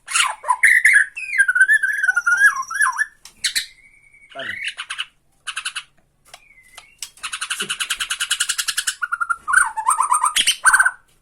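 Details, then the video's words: Bornean white-rumped shama giving rattling 'tretekan' song to provoke another shama: warbled whistles near the start, scattered sharp notes, then a long fast rattling burst of repeated buzzy notes and closing wavering whistles. "TRETEKAN MURAI BORNEO MANCING MURAI LAIN"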